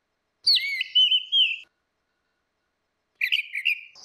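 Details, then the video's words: Orange-headed thrush, female and male, as lure: two whistled phrases with a falling start and wavering held notes, the second shorter and choppier, followed by faint high chirps. "SUARA ANIS MERAH BETINA VS ANIS MERAH JANTAN NGEPLONG || PANCINGAN ANIS MERAH MACET"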